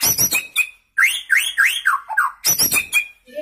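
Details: A young white-rumped shama, newly moulted out of juvenile plumage, sings strongly from one spot: rapid clicking bursts, then a string of looping upward-sweeping whistles, a low warble, and more fast clicks.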